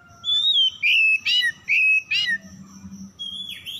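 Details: Oriental magpie-robin whistling as a lure so stressed, silent birds resume singing; a smooth level whistle followed by three loud sliding phrases with harsh edges, then quieter notes and a rising whistle.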